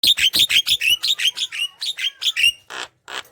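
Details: Javan myna in vigorous, chatty song used as a lure to prompt lazy mynas to sing: a rapid run of sharp, bright chirps, about three per second, then two harsher rasping bursts at the end.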